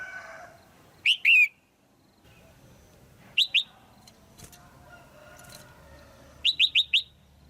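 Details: Female red-whiskered bulbul calling to arouse a male or for pairing; a pair of sharp chirps, then two quick notes, then a rapid run of four bright chirps, with faint rustling between.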